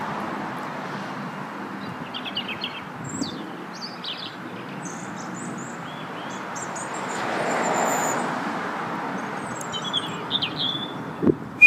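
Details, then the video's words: European robin delivering scattered high, thin warbled and whistled phrases, quick and varied, over a constant hum of distant traffic with a louder passing swell midway and a sharp knock at the end. "English Robin - Erithacus rubecula - Rødhals - Glóbrystingur - Söngfugl"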